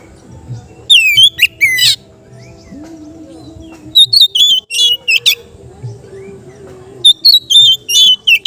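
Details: Relaxed ngeplong singing from a kept Oriental magpie-robin, used as therapy for untrained birds: three short bursts of sharp whistled and slurred notes separated by pauses, over a faint low hum and quiet background sounds.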